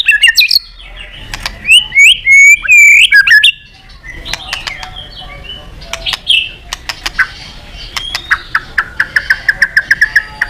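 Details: White-rumped shama singing, used to rouse other shamas: a loud run of varied whistles and warbles, a short pause, then scattered clicks building into a quick, evenly repeated whistled series.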